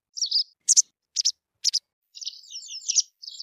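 A white wagtail sings high, sharp twittering notes: a few separate chirps, then a quick run of thin, jumbled warbling, with no other sounds heard.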